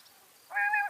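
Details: Female common quail giving one drawn-out, nasal, strongly harmonic note of about half a second, the kind of sound played to lure quail for hunting.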